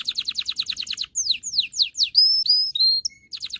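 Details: Canary singing to prepare females for mating and train males to sing: rapid repeated notes, a series of descending sweeps, then flat whistles and a single low pip before trilling resumes.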